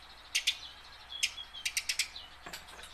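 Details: A tame house sparrow, kept to prompt caught sparrows to sing, gives short sharp chirps singly and in a quick run of five, with a faint thin whistle between them.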